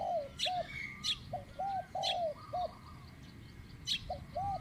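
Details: Spotted dove used as a captive decoy in Thai luring, medium-pitched single-coo style: clear low coos repeated about every half second, with sharp high chirps from other birds between them over a quiet hiss.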